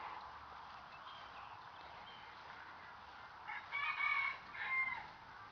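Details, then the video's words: Roosters on a small farm in Minnesota, where they crow all the time: a distant rooster crow rises out of steady background noise near the end, in two short strained bursts. "Now you can hear roosters crowing. There's always roosters crowing."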